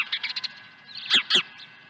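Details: An osprey swoops to the nest at Dunrovin Ranch with a second fish on 23 April 2020. Quick stuttering high chirps are followed by two louder, harsh piercing notes close together, with a faint steady hum beneath.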